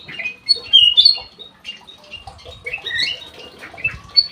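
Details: Ruby-throated bulbul in full song inside an aviary, giving loud, clear, sharp whistled phrases and quick chirps in bursts, with light rustling and tapping noises between the notes.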